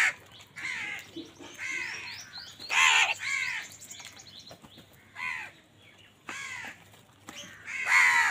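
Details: Crows competing for food give overlapping, rasping caws of uneven loudness, several birds calling at once, with louder harsh caws standing out near the middle and the end.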